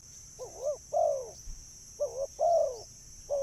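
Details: Spotted dove coos played to lure birds: a wobbling short note, then a longer low note curving down. The pattern repeats twice, then a third short note begins, all over a steady thin high tone.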